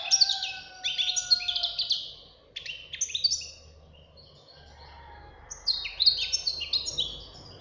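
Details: Young European goldfinch, a caged fledgling, singing a strong, mature-sounding song: bursts of fast, bright twittering and tinkling notes in three phrases separated by short pauses, with a steady low hum in the background.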